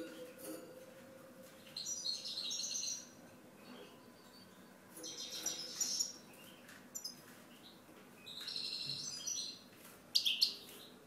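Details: European goldfinch singing, faint and distant-sounding: short bursts of high, tinkling twitters come every two to three seconds over a steady background hiss and low hum.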